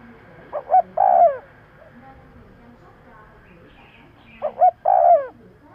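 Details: Lure call of a spotted dove meant to attract birds fast: two phrases, each two clipped hoots followed by a drawn-out descending coo, about four seconds apart, with faint murmuring background noise.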